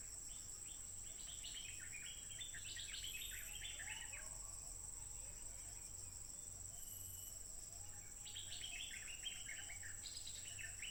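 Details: Stripe-throated bulbul, wild, recorded by smartphone on 15 June 2021 as it sang without pause: two dense bursts of jumbled, bubbling notes separated by several seconds of quiet. Softer calls sound between them over a steady insect drone.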